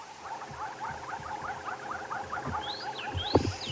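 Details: At sunrise in Sabi Sand, an oxpecker gives a fast run of dry, chattering notes, with a few higher sweeping whistles and low rumbling thumps near the end; the call can mean a buffalo or hippo is nearby.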